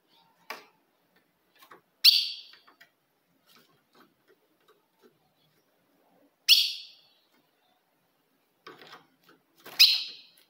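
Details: Ultramarine grosbeak female call used to provoke a male: three crisp chip notes at uneven gaps of three to four seconds, each fading quickly, among faint ticks and clicks.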